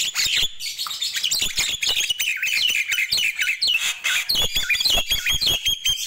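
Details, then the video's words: Lively morning chatter of Nias hill myna: continuous quick sequence of bright whistles, squeaks and squawks, pitch jumping up and down with hardly a break. "Ramainya Kicau Jalak Nias di Pagi Hari"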